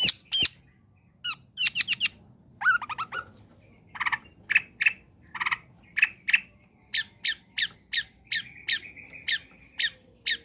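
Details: Long-tailed shrike in a vigorous combination song used to provoke quiet shrikes into singing: a rapid, varied medley of rasping squawks, chattering bursts and short buzzy notes, ending in a steady series of sharp clipped calls.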